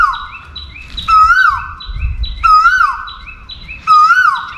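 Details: Asian koel singing out for a mate, three swelling rising notes that tail off downward, about 1.4 seconds apart, over busy high chirping from another bird and a soft low rumble.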